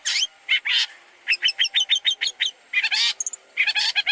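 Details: Long-tailed shrike song meant for tutoring other birds: harsh buzzy bursts, then a neat series of short repeated chips, followed by more rasping mixed notes.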